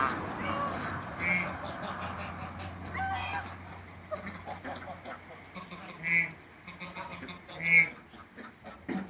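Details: African and Toulouse geese on a waterbird farm meeting a newcomer, with three high, clear trumpeting honks spaced apart amid softer quacking chatter and a low hum.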